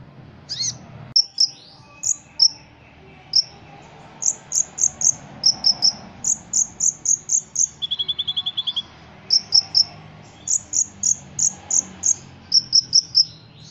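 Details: Ruby-cheeked sunbird from Cililin, a competition bird, in lively song with cricket-like imitations. Sharp high chirps and whistled notes follow each other quickly, broken near the eighth second by a fast buzzy trill of about a dozen pulses.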